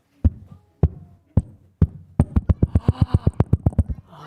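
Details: Ruffed Grouse drumming, the male's mating display from a log in the woods, sounding like a motorcycle starting up: deep, muffled thumps, slow at first and then quickening into a rapid roll.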